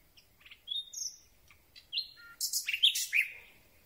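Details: Common Nightingale at night, very close to a boom-held microphone, singing varied phrases: scattered clear whistled notes at different pitches building into loud, harsh rapid bursts and sliding notes near the end.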